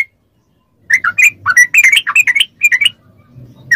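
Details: Yellow-vented bulbul singing as training audio to set off responses in kept bulbuls: silence, then a dense burst of chattering, warbled notes, with a faint low hum underneath.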